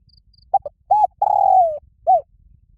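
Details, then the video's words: Loud, ringing challenge call of a spotted dove calling rivals to fight. Two quick low coos, a rounded note, a long sliding coo that falls away, then one closing arched coo. Soft insect chirping at the start. "Tiếng chim cu gáy gọi bổi rất to và vang cu gáy gọi đấu"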